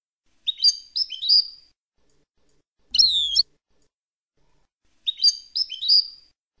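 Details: European goldfinch singing a "Palestinian"-style song, kept as a tutor recording for young birds: three short bursts of bright, liquid twittering with quick tinkling trills, separated by pauses of about a second; otherwise quiet.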